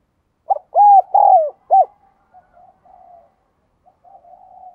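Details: Caged lure Spotted dove calling and cooing, one loud phrase of four hollow notes, a clipped note, two long level coos and a closing short one, followed by quiet murmuring coos.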